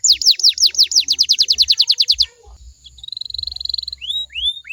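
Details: Domestic canary singing, used as a lure to set other canaries answering. A fast train of descending whistled notes lasts about two seconds. After a short gap comes a buzzy rattling roll and a few separate upslurred whistles. Low thuds sound underneath.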